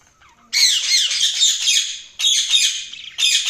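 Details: Loud budgie chatter: long harsh, buzzy warbling bursts over a second long, separated by short gaps, with a faint soft whistle before the first burst.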